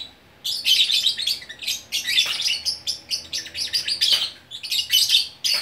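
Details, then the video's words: Lovebird in Bukittinggi, West Sumatra, delivering nonstop gacor orkestra song. Shrill, buzzy chirps come in quick clusters, with a few sharp downward-sweeping squeaks among the rapid chatter. "Burung Lovebird Gacor Orkestra"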